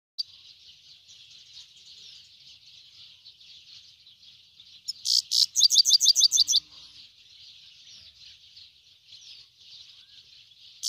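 A grey-headed goldfinch sings a steady, high twittering warble with a louder burst of quick repeated notes.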